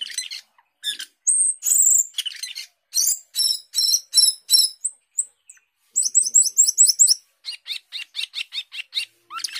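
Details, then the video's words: Asian glossy starling, a fruit-eating mimic, in energetic song: quick series of high chirps and trills, sharp whistled slurs, rapid repeated clicky notes in bursts, all high-pitched and varied. "Cucak keling gacor teler"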